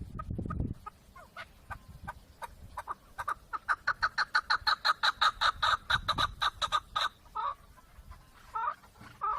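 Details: Sparse chuck notes from a chukar partridge accelerate into a loud, rapid, evenly spaced series, then break into a few scattered calls, with low rumbling noise at the start.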